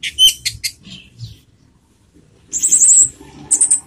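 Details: Orange-headed thrush song used as a lure to stir emotion and breeding urge; a burst of sharp clipped notes, a pause, then a high rapid warbled trill followed by a short repeat.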